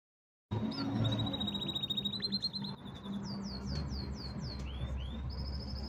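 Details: A canary singing: high thin rising notes lead into a long steady trill of rapid repeated pulses, then a run of quick downward-curving whistles and a final bright buzzy trill, over a low background hum.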